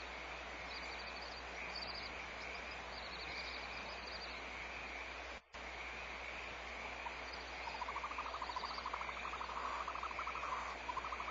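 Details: Barn owls at a nest at Audubon Starr Ranch Sanctuary, recorded 24 February 2011 as the mother returns: short, high chittering bursts over steady hiss, then a rapid pulsed, buzzy run of calls in the last few seconds.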